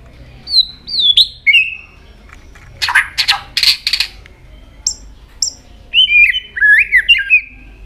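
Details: White-rumped shama, tail flicking continuously, varies its song: a few bright whistled notes, a cluster of harsh rasping bursts, isolated high chips, then warbled whistles to close.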